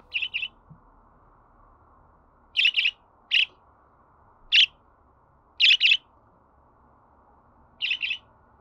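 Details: Budgerigar sounds intended to get a pet bird singing: crisp, high, clipped chirps, some doubled, spaced irregularly about a second apart against near silence.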